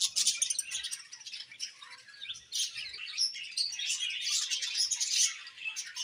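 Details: Several budgies chattering in a steady stream of bright, twittering chirps and buzzy warbles, rising and falling in intensity without pause, with soft low rustles in the background.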